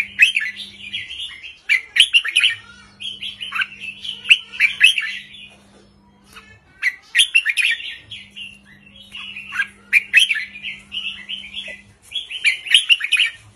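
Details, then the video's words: Wild red-whiskered bulbul in the short, easy count-style 3-4-5 song, delivering cheerful phrases of rolling, warbled whistles again and again with short breaks, over an intermittent low electrical hum. "นกกรงหัวจุกริกมันส์ เพลงสั้นๆ ร้องง่ายๆ สไตล์นับดอก 3-4-5"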